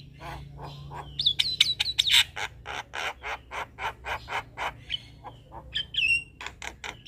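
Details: Male Javan myna chattering as a lure for other mynas: a steady string of harsh rasping notes with bright upslurred whistles at the start and a clear whistle near the end.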